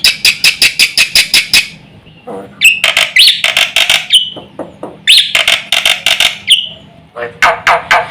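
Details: Black-winged myna singing to draw other mynas into calling: loud bursts of harsh, raspy notes in rapid series, broken by short whistled slurs and brief pauses.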